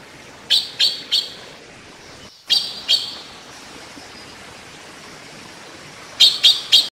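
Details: Taiwan blue magpie bathing; a trio of quick, bright chirps, a pair a moment later, then after a long quiet stretch a final rapid trio of sharp notes.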